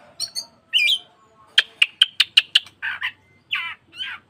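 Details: Oriental magpie-robin (kacer), played to make caged birds spread their tails and sing: whistled notes, then a rapid run of six sharp clicking chips, followed by three buzzy, slurred phrases.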